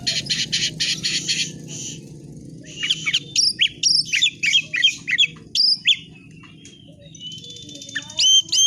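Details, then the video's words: Oriental magpie-robin singing in 'fighter' style: an opening burst of harsh rasping notes, then a string of sharp whistled notes in quick series, then a long thin whistle, with low background rumble throughout. "BURUNG KACER GACOR FIGTER"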